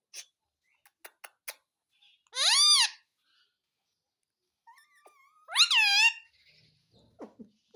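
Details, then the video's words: Indian ringneck parakeet talking, imitating "mummy papa": two loud, strained, rising-and-falling voice-like utterances about three seconds apart, with soft clicks and a thin whistle between them in a quiet room. "Parrot Talking _ Mummy Papa Bolne Wala Parrot"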